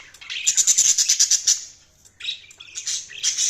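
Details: Budgerigar chirping: a quick series of rattling, evenly spaced clicky notes for over a second, a short pause, then scratchy warbled chatter.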